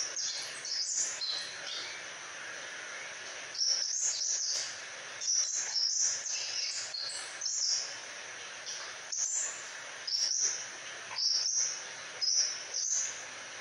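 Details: Crimson sunbird in sustained lively song, used as a tutor bird: a long string of high, thin squeaky notes and short twitters, loose at first, then arriving in regular bursts about every second.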